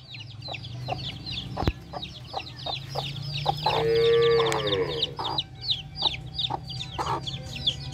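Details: Mother hen with her baby chicks: rapid high peeping chirps from the chicks throughout, with low clucks from the hen and a long drawn-out harmonic call near the middle.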